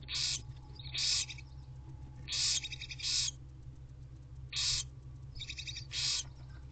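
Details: Five barn owl owlets in a nest box, the mother present, at 10:15 am on 4/12/23: loud raspy hissing shrieks around half a second long, often in pairs, repeating every second or two over a steady low hum.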